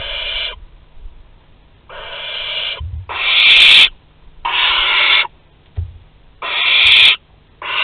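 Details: Barn owls at Théding, France, on 23 August 2020, an older bird offering its prey to a younger one; harsh, breathy hissing screeches of about half a second to a second, repeated with short gaps, with a few low thumps between.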